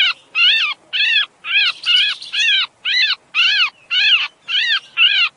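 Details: A sooty-headed bulbul in breeding condition gives harsh, nasal, arched notes, about two each second, in a steady run against a quiet background; used as a lure to draw small birds close.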